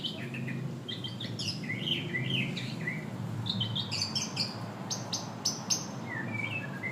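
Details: White-rumped shama pouring out a varied song of quick bright whistles, sharp high chips and sliding notes, with loud clipped phrases in the middle and softer falling whistles at the end.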